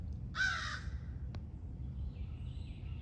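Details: A noisy crow in a home courtyard in Virginia on a morning gives a single harsh, hoarse caw lasting about half a second, over a low outdoor rumble with a faint click afterward.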